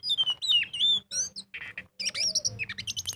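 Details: Oriental magpie-robin in full ngobra song, played as a lure to get birds singing. Long descending whistles open, then chattering notes, a harsh rasp and a high jumble of quick twittering phrases over a faint low hum.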